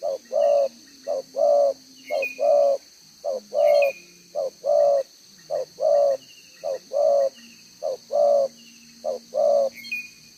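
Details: Spotted dove decoy bird with a two-row collar, recorded 11 June 2023, repeating its one-tail-note song for ten seconds: quick soft notes leading into longer round coos in a regular cadence. Thin bird chirps and insect buzz sound faintly behind.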